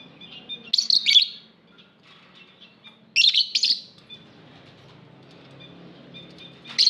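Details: Aviary lovebirds chirping: two clusters of rapid, shrill, buzzy notes a couple of seconds apart, then a final sharp chirp, over a low murmur of soft background twitter.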